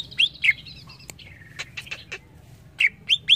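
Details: Greater green leafbird singing: sharp, clear rising-then-falling whistled notes, some paired, scattered with brief clicks and chips across a quiet background.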